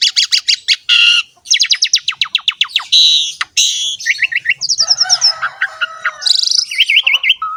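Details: An Asian pied starling in lively 'gacor' song packed with fill-ins: rapid repeated chirps, harsh buzzy bursts, wavering trilled phrases, and rolling zigzag whistles, all delivered in a continuous, energetic stream.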